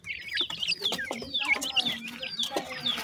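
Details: Partridge chicks receiving food call with piercing, drawn-out whistled peeps that slide downward, several overlapping, accompanied by quieter low clucks.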